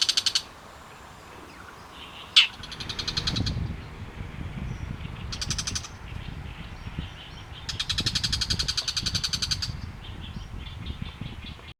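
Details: Loud harsh calls of a bull-headed shrike: a sharp click, then short bursts of grating, rapidly pulsed chatter and a longer rattling series, over low background rumble.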